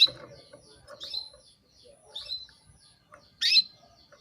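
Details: Female canary calling a male, meant to stir him into breeding mood: soft thin whistled notes, then one loud sharp chirp near the end, with faint low rustling underneath.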